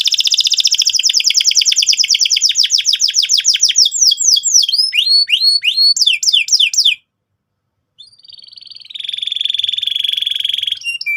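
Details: Canary song used to provoke young canaries into rolling trills: a long fast rattle of sharp descending notes that slows into looping whistled sweeps, a one-second pause, then a rising sustained trill.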